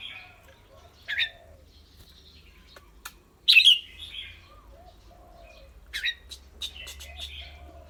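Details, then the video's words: Caged red-whiskered bulbul, clear-voiced, singing and chattering rik: three bright bursts, the middle one loudest and sharpest, over a steady low background hum. "นกกรงหัวจุก เจ้าขวัญโชค เสียงใส ๆ ทั้งร้องทั้งริกๆสะใจๆครับ"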